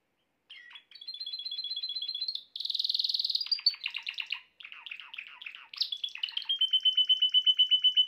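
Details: Male-style canary song used to bring a female canary into mating posture fast: varied phrases of thin whistles, dense buzzy rolls and rapid chattering trills, ending in a rhythmic series of repeated notes.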